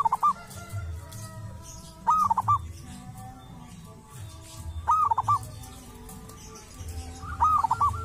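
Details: Wild local zebra dove from a sacred tomb area, with a distinctive voice, repeats a short trilled coo roughly every two and a half seconds. Four phrases are heard against faint low background noise.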